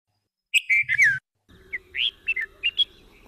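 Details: Grey-headed bulbul call in forest, described as distant and delicious tunes: a loud burst of four clear, slurred whistles falling in pitch, then a softer run of short chirping notes over a faint low hum.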